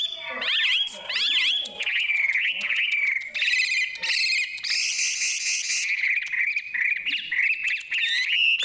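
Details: Bird singing a rich, varied whistled song: quick zigzag slurred notes, sustained mid-pitched whistles and bursts of high, buzzy, jumbled notes, delivered continuously with brief pauses between phrases.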